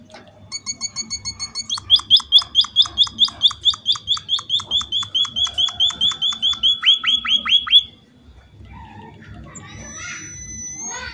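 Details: Emprit or pipit, a munia, singing to draw answers from other munias: a fast train of sharp, hooked chirps running for about six seconds, the final notes sweeping lower, followed by quieter background sounds and a faint whistle.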